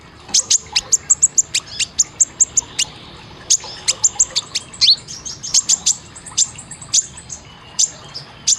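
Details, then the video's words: Kolibri ninja sunbird song used for caged-bird training: rapid, piercing high chips repeated in quick bursts, almost continuous over several seconds, with a few buzzy downslurred notes. "Isian Tembakan Suara masteran kolibri ninja konin Gacor Tajam"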